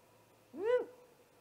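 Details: Great horned owl attacking a great gray owl at its nest, 00:03 on 30 March 2018, recorded by a nest camera: one short, rasping screech that sweeps up and drops, with a faint trailing tone.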